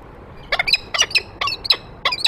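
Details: Peregrine falcon at a nest ledge, a male arriving with prey and the female following behind; harsh, chattering calls in short bursts of several notes, some with a slurred, wavering quality, over quiet background.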